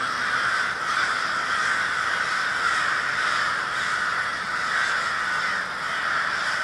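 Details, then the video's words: Crows gathered as a murder in Minneapolis, Minnesota, on February 20, 2020, keep up a dense, unbroken clamour of coarse caws, steady in loudness throughout. "A Murder of Crows"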